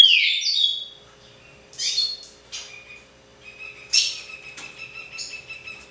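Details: A Green-winged Saltator sings original pixarro song: loud, clear whistled phrases with sliding, falling notes in short bursts, over a faint steady indoor hum.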